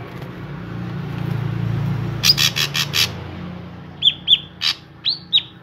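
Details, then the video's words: A lively drongo, played as a lure to set other drongos singing, gives a quick run of four harsh buzzy notes. Then come several short, clear, downslurred whistles, each sounding about a third of a second apart, over a low background hum. "Burung Srigunting Gacor I Ampuh Untuk Pancingan Burung Srigunting Agar Ikutan Gacor"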